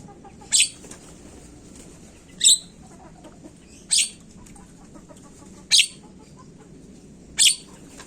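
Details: Grating screeches of a Javan myna in a lure recording aimed at quick calling: five harsh bursts spaced one and a half to two seconds apart over steady low hiss.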